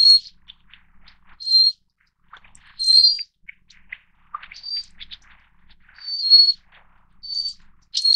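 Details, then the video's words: Little Forktail of the Taiwan endemic subspecies Enicurus scouleri fortis, a bird of mountain streams and riverside rocks at 600–2,400 m in Taiwan; thin, high, drawn-out whistled notes repeated every one to two seconds, with faint soft chips between. "小剪尾(小燕尾)/Little Forktail"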